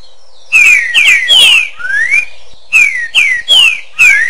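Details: Song of a green-winged saltator with echo: loud paired and single whistles gliding downward, a softer rising slur between phrases, and a final phrase ending on a rising note.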